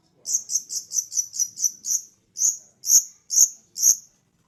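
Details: Long-tailed shrike from East Java, Indonesia, in lively full song: a rapid run of piercing, high metallic chips, then a brief pause and four louder, more spaced chips, with a faint click under each.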